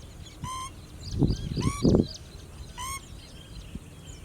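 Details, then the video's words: Pheasant-tailed jacana foraging for food in a lake: three nasal, slightly falling mewing notes with rich overtones, spaced about a second apart, amid low rumbling thumps and background noise. "Pheasant tailed Jacana-Call"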